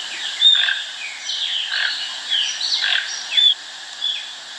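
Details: Toucans being fed at a farm in Brazil give harsh, rasping croaks in quick bursts about every half second, several voices overlapping, with a few thin high whistles mixed in.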